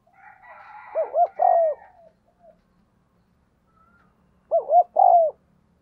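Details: Two cooing phrases from a decoy spotted dove used to provoke wild doves, about three and a half seconds apart, each two short rising coos and a longer falling one; faint rustling precedes the first.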